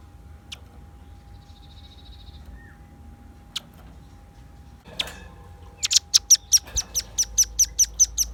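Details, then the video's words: Velvet-fronted nuthatch in full song, used to lure birds: after quiet with scattered clicks, a run of about a dozen sharp, very high notes, evenly repeated at roughly two and a half per second. "Suara kicau pancingan burung rambatan paruh merah gacor"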